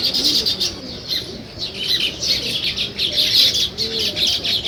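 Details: Many sparrows chirping in the morning around weaver birds building a nest in a village, a steady high twittering mass of calls with faint low cooing underneath.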